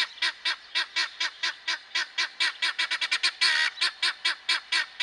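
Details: Helmeted guineafowl repeating loud, rasping, rhythmic notes about twice per second without pause, one note stretched longer and harsher midway.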